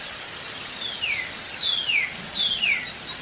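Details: Downy woodpecker giving three clear, high slurred calls, each sliding downward in pitch, spaced about half a second to a second apart over a soft hiss of background noise.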